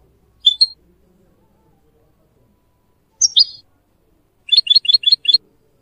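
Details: Goldfinch phrases used to train young mules and canaries in singing: a sharp double chirp, a slurred descending twitter, then five rapid, evenly spaced high tinkling notes, with near silence around them.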